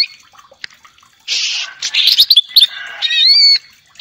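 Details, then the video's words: Greater green leafbird song, used as a lure to make other birds sing: a fast run of high, harsh buzzy bursts, chattering notes and clear rising whistles, quick and varied over four seconds. "Pancingan Cucak ijo agar gacor,naik emosi,kongslet,nembak"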